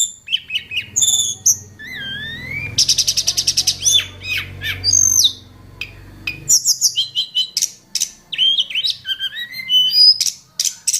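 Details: Hill blue flycatcher in mountain forest, wild, delivering a varied, richly phrased song: squeaky slurred whistles, a rapid buzzy rattle, and quick high chips over a low background hum.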